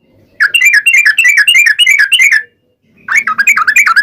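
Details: Trucukan, the sooty-headed bulbul, singing a long ropel rapid-fire gacor song used to provoke other birds into replying: a fast run of bubbly, wavering notes, a brief pause, then another quick burst.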